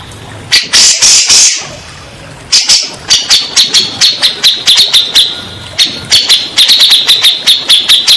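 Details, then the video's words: Grey-cheeked bulbul as a therapy sound for birds that have stopped singing: a short harsh burst, a pause, then long steady runs of rapid sharp notes at a high pitch. "Terapi burung cak jenggot bahan / macet bunyi , setres pasti bakalan nyaut"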